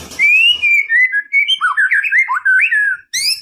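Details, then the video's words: White-rumped shama singing to provoke a rival: long clear whistled notes give way to a lively run of twisting up-and-down warbled phrases, ending with a short high sweep. "KICAUAN SUARA MURAI INI MEMANGGIL LAWAN"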